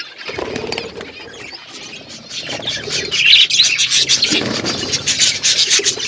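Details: Budgerigar flock chirping in an outdoor aviary, chatter building from a moderate level to a loud, dense spread of high scratchy warbles and chirps, with soft lower murmurs underneath.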